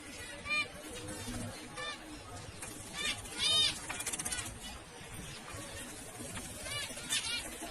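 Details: Zebra finch producing brief nasal beeping calls, several spaced a second or so apart, one louder call near the middle, with low background rumble and hiss.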